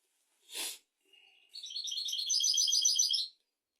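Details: European goldfinch song used to teach goldfinches and canaries: a brief noisy burst, a thin rising whistle, then a rapid tinkling, buzzy trill of repeated notes running nearly two seconds.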